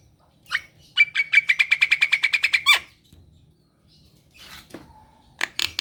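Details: Caged black-winged myna in full song, used to stir lazy birds to sing: a fast rattle of about fourteen harsh notes over a thin whistled tone, a pause, then more scratchy bursts.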